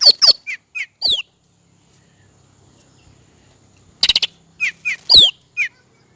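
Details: Cucak rante song used as a master and lure sound: a series of high, downward-slurred chirps and sharp flicks, a two-second pause, then a dense stuttering burst followed by more falling whistled notes.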